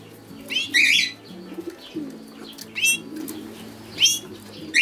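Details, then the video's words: A European goldfinch sings in tinkling, high-pitched clusters that come roughly every second or two, with faint low music humming beneath. "European Goldfinch - Canto de jilguero"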